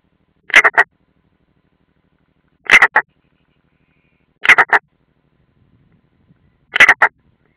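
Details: European roller, an unringed bird at its nest in the Ādaži training ground, Latvia, 30 June 2016: four short harsh rasping bursts, each of two or three grating notes, spaced about two seconds apart, with silence between.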